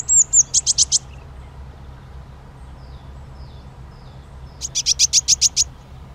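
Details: Eurasian nuthatch uttering two quick series of very high, sharp notes, about five each, preceded by a thin whistled note, with a long quiet gap between the series.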